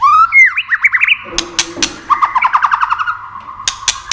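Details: Excitement-stimulating song of a White-rumped shama: a rising whistle and fast up-down warbled notes, sharp clicks, then a quick rattling series of slurred notes and more clicks.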